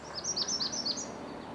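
A Magnolia Warbler gives a short, thin series of high, slurred notes, an incomplete and weak version of its song, over a faint background hiss.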